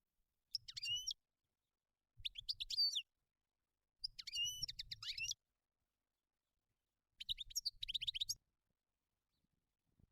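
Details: In nature, a European goldfinch gives four spaced bursts of twittering song with nasal, wavering buzzy notes and tinkling chirps, each about a second long, over a soft low rumble during each phrase.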